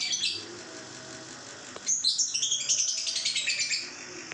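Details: Two-month-old lovebird: a few scattered high chirps, then a sharp start into a rapid ngekek trill of quick, evenly pulsed chattering notes for about two and a half seconds.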